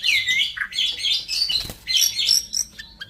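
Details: White-rumped shama, a fifth-generation crossbred bird of Bordanias and Balak Sabang lines, sings fast, varied whistled phrases that sweep up and down, with rich warbling runs and short pauses between bursts.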